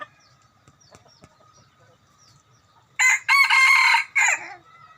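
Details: After near silence with faint ticks, a decoy rooster lets out one powerful raspy crow of roughly one and a half seconds, ending with a short trailing note.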